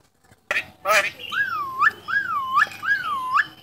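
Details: Talking starling, a contest champion: a harsh burst opens, then three clear wavy whistled phrases, each rising and falling, repeated about every second.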